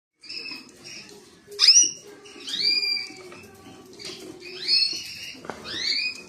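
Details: Creamino canary singing: clear whistled notes near the high register, several downslurred and upward-sweeping phrases with a steady lower harmonic, separated by short pauses, over a faint low hum.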